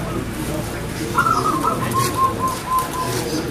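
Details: Singing local zebra dove, known as perkutut, with a crystal-clear voice: a high opening note followed by a quick beaded series of lower coos lasting about two seconds, over faint steady noise.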